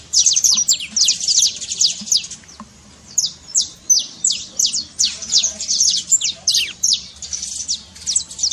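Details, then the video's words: Saffron finch trill for stirring a reluctant canary into song: fast chains of high downward-swept notes, pulsing in repeated bursts of roughly a second, with a short quieter gap near the start. "trincado pra foguea seu canário frio"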